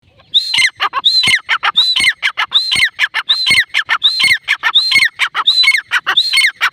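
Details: Female grey francolin calling: a loud, regular series of harsh, rising-then-falling squealing notes, each with a sharp high whistled peak, repeated a little over once per second without pause.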